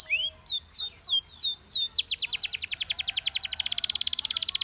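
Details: Belgian canary among canaries singing together: an unhurried series of descending slurred whistles, then an abrupt switch to a very fast, even, rolling trill.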